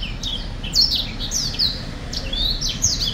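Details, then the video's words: Song of a black-throated finch, 2023: short clusters of high, sharp descending chirps at irregular intervals, some louder accents, with a steady low hum in the background. "Black throat finch singing / 黑喉燕歌唱"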